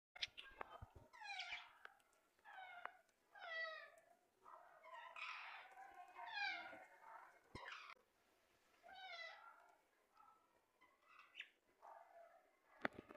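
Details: A pet parrot enjoying the rain gives a series of harsh, nasal, wavering squawks, somewhat meow-like, about one every second or two, with brief pauses between bursts.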